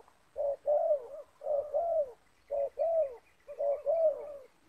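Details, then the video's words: Spotted doves in a yard, a captive decoy of the 'banggo' voice type calling against a wild 'banggo' bird it is luring. Low mellow coo phrases, each a short note then a longer falling one, repeated about once a second. "Spotted Dove - Banggo VS Banggo bertemu di laman"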